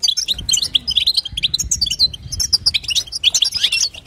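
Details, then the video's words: Female European goldfinch twittering, the chatter known as batbata, used to prompt a male goldfinch to sing; dense, rapid high chirps and short trills run almost without pause, bright and squeaky, with a few faint low knocks beneath. "بتبتة وستسته حسون تجعل الحسون يغرد"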